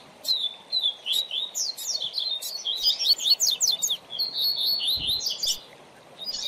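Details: Coleiro or papa-capim (double-collared seedeater) giving a tutor song meant to teach young birds: a long, fast, twittering and warbling phrase of high sliding notes lasting about five seconds, pausing briefly near the end.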